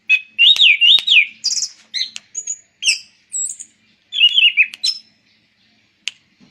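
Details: An Anis Cendana thrush sings a fast, varied run of wavering whistles, sharp chips and high squeaky notes in short bursts with brief pauses, with no other sounds noticeable.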